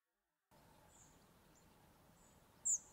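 A spotted flycatcher gives a thin, very high 'tsee' call, preceded by a few faint, similar high notes against quiet background hiss.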